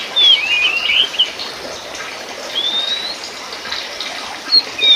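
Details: Oriental magpie-robin of the Sumatran race Copsychus saularis musicus, used as a training recording: scattered clear whistles and rising slurred phrases around high pitch, with pauses between bursts over a steady hiss resembling running water.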